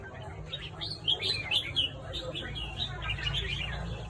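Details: Morning song of a red-whiskered bulbul: lively bursts of quick, liquid chirping notes rising and falling, fairly irregular, with a constant low droning hum underneath.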